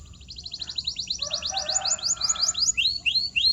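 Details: Canary song used as a training sound for silent or muted birds: rapid rising chirped notes repeated in quick series, shifting to higher sweeping notes, with a softer warbling underlayer midway.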